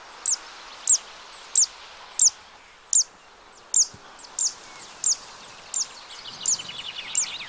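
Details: Zitting cisticola singing in a wetland at the Arzal dam, Morbihan, France, on 2 June 2023: sharp, high 'zit' notes repeated about every two-thirds of a second, with faint twittering from other birds near the end.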